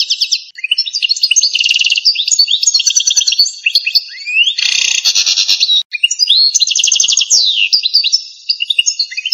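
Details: Long, almost unbroken phrase from an authentic Algerian goldfinch, pipiniere or campero song: rapid trills, sweeping whistled slurs and buzzy twitters alternate, with one brief gap midway.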